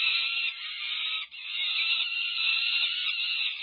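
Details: Peregrine falcon chicks over five weeks old, close to fledging, begging as their mother feeds them at a nest on the UC Berkeley campus, California, on 18 May 2023. Loud, harsh, unbroken screaming holds steady, with one brief dip midway.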